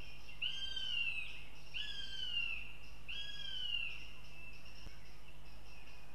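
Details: Young female northern goshawk visiting the nest in Riga, Latvia: three long, drawn-out, high whistled calls, each slightly falling in pitch and spaced about 1.3 seconds apart, over a steady low hum.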